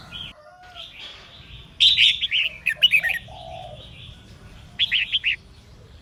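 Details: A female red-whiskered bulbul sings to spur males to sing. Quiet start, then loud chirpy warbled phrases around the middle, a pause, and a final burst of three quick rising notes near the end.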